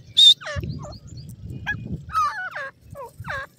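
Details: Grey francolin chicks fighting over grass in a forest: a loud, shrill high peep, then a run of slurred, downward-sliding notes of varied pitch over a low rumbling background.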